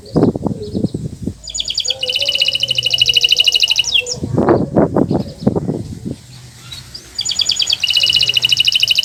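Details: Kenari Nusantara canary singing, used as a master recording to prompt non-singing canaries: long dense buzzy rattling trills alternating with pauses, with low knocking or voice-like sounds in between.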